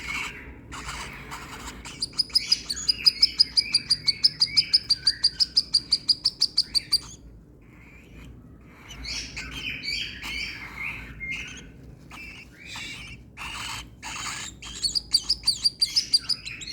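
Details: A baby cockatiel being hand-fed egg and milk gives rapid, rhythmic, high rasping begging calls, several per second.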